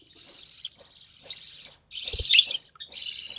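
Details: Recessive pied budgerigar chick, born early June 2020, fed by its mother: nearly continuous harsh, scratchy buzzing, a brief gap, then a louder rasping surge with a dull low thump, followed by more buzzing.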